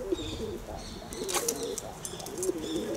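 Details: Kept pigeons producing continuous low, rolling coos that rise and fall in short phrases, over a background of light rustling and a brief crackling burst.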